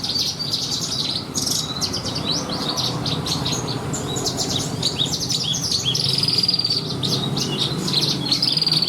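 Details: Lark, a caged bird prepared for song contests, delivering a rich, varied song of rapid high chirps, trills and short whistled notes packed densely together, with a low hum running underneath.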